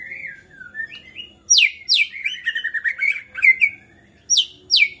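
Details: Agitated white-rumped shama, whose singing is said to set other shamas singing, delivering loud downward-swooping whistles, rapid chattering notes and squawky fragments, with swoops repeated toward the end over a faint hum.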